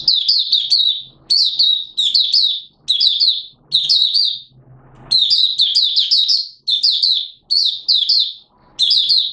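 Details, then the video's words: Malaysian white-eye, a kept hobby bird, recorded in Singapore on 29 March 2023 in warm, humid weather with sudden showers. It sings high, thin, twittering phrases about a second long, repeated after short pauses, nine or so bursts in all. "Malaysian Mata Puteh Buka Sing"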